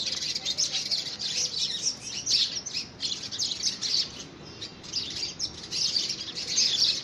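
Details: House sparrows fighting for a homemade nest box, early February 2017: a continuous chatter of sharp, high-pitched chirps from several birds, rising and falling in loudness in quick pulses.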